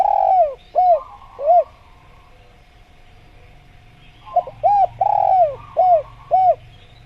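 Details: Spotted dove (tekukur), a masteran recording meant to prompt birds to call quickly: soft mid-pitched arched coos, three spaced notes, a pause of nearly three seconds, then five more, over a steady faint tone and low rumble.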